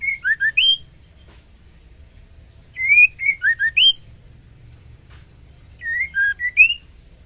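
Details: Female White-rumped shama calling the male while in breeding condition, giving three similar phrases of five quick whistles, dipping low then ending in a steep rising note, spaced about three seconds apart.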